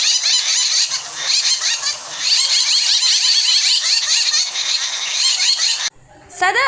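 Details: A flock of Jungle Babblers in Kundapura, India, keeps up a dense, harsh, squeaky chatter of overlapping nasal calls for six seconds, then breaks off briefly before starting again.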